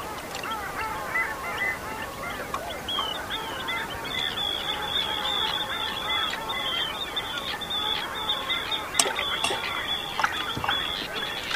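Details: Long-tailed ducks with common eiders resting on the foggy Bothnian Sea near Räyhät, Finland, on 30 April 2010, a dense chorus of overlapping nasal, yodelling calls with a steady high tone and scattered clicks.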